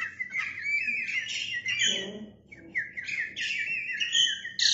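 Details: Male Oriental magpie-robin in full song, tail spread: long sustained whistles and buzzy warbling, a brief dip in the middle, then renewed rich whistled phrases ending in a high chatter.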